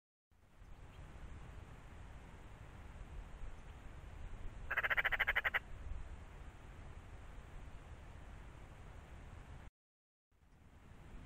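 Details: Eurasian magpie calling once: a harsh, rapid chattering rattle of about a dozen clipped pulses lasting roughly a second, over steady low rumbling background noise, with a short silent gap near the end.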